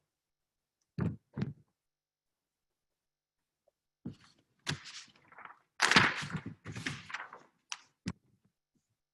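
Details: Two dull thunks, then a run of bangs, scrapes and knocks indoors, with no animal voice anywhere.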